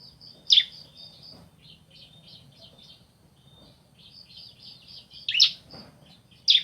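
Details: Bar-winged prinia, male and female answering each other: sparse sharp high chirps and a few thin buzzy trilled phrases, with loud bursts near the start and end, over faint low background hum.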